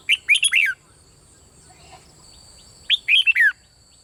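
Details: Red-whiskered bulbul singing in the Thai 'bernle' doubled style, played to stimulate other birds: two bright, quick whistled phrases of four to five notes, rising then sliding down, separated by a pause of about two seconds.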